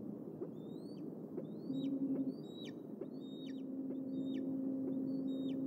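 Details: Bald eagles at the Decorah nest in the evening as two eaglets return home near Trout Run Creek, June 29; a series of thin, high, downward-slurred chirps repeats about four times a second over steady low hum and a faint tone.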